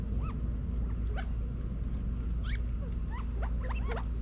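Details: California quail feeding in a Las Vegas, Nevada back yard, fall 2022; scattered short upslurred and curling notes every half second or so, against a low continuous rumble.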